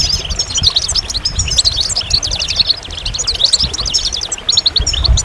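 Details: Goldfinch song: dense, rapid twittering of high, sharp chirps and trills in an almost unbroken stream, with a low rumble underneath.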